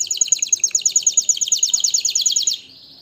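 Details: Singing canary, song used to stir birds for breeding: a fast rolling trill of about twenty bright, high notes, closing with a short, softer buzzy tone.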